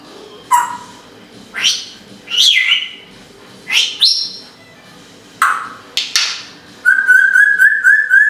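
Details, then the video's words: A female pet Timneh African grey parrot mimics calling a dog ("come here", "wanna go out?"), kissy noises, dog whistles, squeaky toys, door creaks, sniffles and coughs, despite no dog for 6 years, plus swooping improvisational jazz whistling over faint household background. "calling a dog, making house noises, and improvisational jazz whistling"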